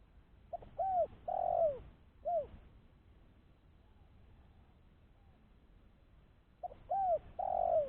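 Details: Spotted dove calling, used as a lure call for trapping other doves: two phrases of soft cooing notes, short note then mellow arched coos ending in a long falling coo, separated by several seconds of quiet.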